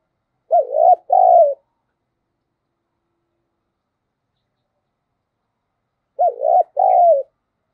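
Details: Spotted dove, a lure recording in the 'giọng thổ' voice style used to provoke other doves into calling: two throaty two-part coos about six seconds apart, each a wavering note then a longer steady one, with silence between.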